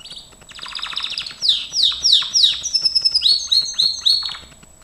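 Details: Gloster canary singing in a training recording, with a soft buzzy roll giving way to a run of loud downslurred whistled notes repeated about four times a second.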